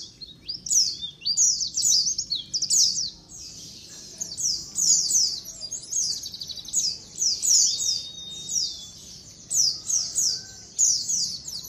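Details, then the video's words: White-eyes calling together as a colony, a recording used to lure birds, with a near-continuous stream of high, descending twittering chirps from several birds, densely overlapping with only brief lulls. "SUARA KOLONI PLECI COCOK BUAT PANCINGAN PLECI AGAR CEPAT NGALAS"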